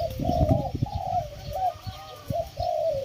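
Spotted Dove cooing: soft, hollow, low-pitched coos in short back-to-back phrases, swelling and dipping. Low thumps and rumbling noise sit underneath.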